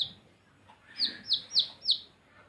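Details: Four clear, high-pitched downslurred peeps from baby chicks, evenly spaced about a third of a second apart, over quiet background noise.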